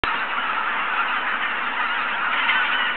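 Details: Geese at Izunuma at six in the morning, a dense, continuous wall of overlapping calls from a large flock, with no single voice standing out.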